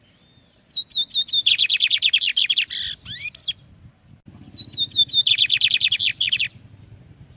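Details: Bigodinho singing, recorded for young birds to learn from: a thin descending series of whistles leading into rapid, loud, buzzy repeated notes, plus some swooping sounds, then the same phrase begins again.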